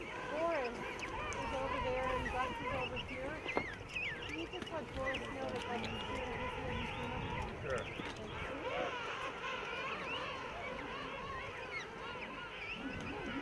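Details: Large king penguin rookery on rocky ground amid tussac grass, Salisbury Plain, South Georgia, where the birds breed and moult; a constant babble of many overlapping warbled calls, some lower honking voices, and a single sharp knock near the middle.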